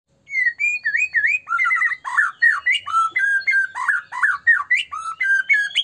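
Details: Melodious white-rumped shama song, used to goad other shamas into singing: a continuous run of clear, slurred whistles, rising and dipping notes given about three per second, each phrase varied, with a clean quiet background.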